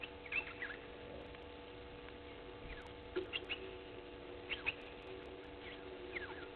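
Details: An African green pigeon at Gowrie dam waterhole, Djuma Game Reserve, Sabi Sand, South Africa, at 07:40 on 16 June 2021, gives scattered short, liquid, downward-sliding whistled notes in small bursts every second or so over a steady low hum.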